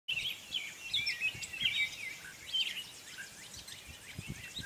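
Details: A gray catbird sings at Morgans Point on May 22, 2020, a rambling, unbroken run of short squeaky, chattering and whistled notes, each phrase different, over a faint low rumble.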